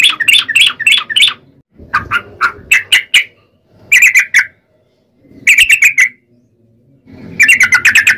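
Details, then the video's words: Sooty-headed bulbul song for luring other bulbuls: short bursts of quick rattling chirps, each burst lasting about a second, separated by pauses. "trucukan gacor ROPEL PANJANG buat pancingan trucukan agar bunyi"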